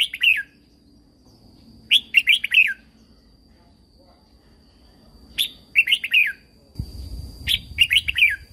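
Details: Training song of a caged red-whiskered bulbul from Thailand, played to stir other birds: four brisk warbled phrases of chirpy notes spaced a few seconds apart, a faint steady hum and low noise in the background.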